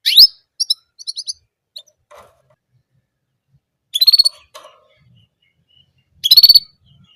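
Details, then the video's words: Orange German canary singing a single repeated song type: short high bright trilled bursts near the start, around four seconds and again past six seconds, with a few scattered thin chirps between, otherwise quiet. "Orange German Canary Singing Only One Sound Of Singing"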